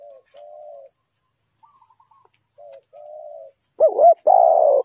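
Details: Spotted dove cooing, used as a lure for trapping wild birds in Ninh Thuận: short mellow coo notes, a quiet high fluttery series, then two loud, throaty, wavering coos at the end.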